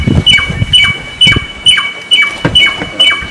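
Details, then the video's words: Samyong, song offered as master material for songbirds: a sharp high whistle with a quick downward slur, repeated about seven times at an even pace over low rumbling background noise. "Suara burung Samyong"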